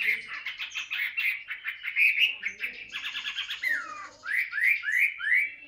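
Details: Caged tame Chinese hwamei practising song, first a chattering, buzzy run of quick notes, then a falling slur and four loud upward-sweeping whistles in a row.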